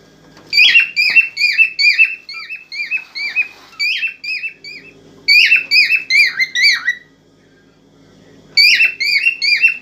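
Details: Excited cockatiel song aimed at stimulating a female for breeding: long strings of rapid, harmonically rich downslurred whistles, roughly two or three per second, in three separate phrases broken by a silent stretch.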